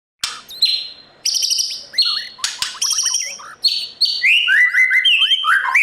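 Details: White-rumped shama morning song, played to train newly caught birds to sing hard in competition: a varied run of clear whistled notes, sliding slurs and sharp chips, with short pauses between bursts of phrases.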